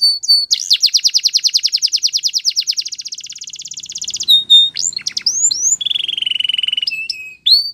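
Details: Canary delivering a long, rapid rattling trill of high notes for about four seconds, then scattered whistled slurs and a steady, lower buzzy trill before a final rising note.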